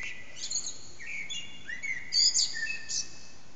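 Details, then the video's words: Unseen common blackbird at dawn, about 4:40 am, singing in an echoing backyard, taken on an HTC Desire; fluty descending whistles ending in a loud shrill twittered flourish, steady low hiss behind. "Blackbird's morning song"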